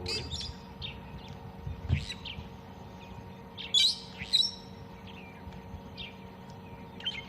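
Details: A Fork-tailed Drongo hawking at sunrise on a misty 2 June 2020 morning in Tswalu Kalahari Reserve, South Africa, gives an irregular string of sharp, varied high chirps and twangy notes, with two louder bursts midway, over a steady low hum.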